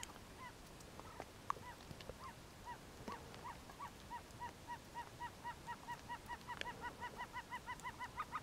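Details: Himalayan snowcock in Lamoille Canyon, Nevada, giving a long series of nasal, goose-like notes, about three a second, building steadily and quickening toward the end over quiet background.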